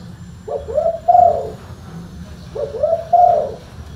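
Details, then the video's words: Spotted dove, or tekukur, cooing twice: a quick soft note, then a rounder, louder drawn-out hoot, the pair repeated after a two-second gap, low hum beneath. "TEKUKUR SUARA FULL BASS"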